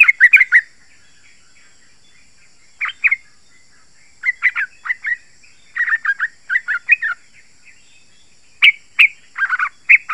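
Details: Yellow-vented bulbul chattering song played to attract wild bulbuls: short irregular clusters of quick gurgling notes spread across the recording, with louder sharp phrases near the end.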